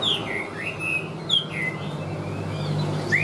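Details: Chinese hwamei, a bird for sale noted for an even voice, gives several separate whistled slurs that dip and rise, spaced apart, over a continuous low hum.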